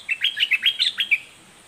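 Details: Lively, fierce song of a red-whiskered bulbul, a quick burst of eight or so sharp whistled notes sung in about one second, varying in pitch, then stopping.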